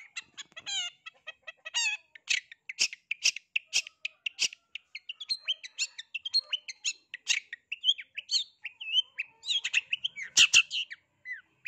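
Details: Long-tailed shrike singing in search of a rival to stir other shrikes into answering: opens with quick warbled rising notes, then a long stream of sharp high chips and varied chattering phrases at an even pace.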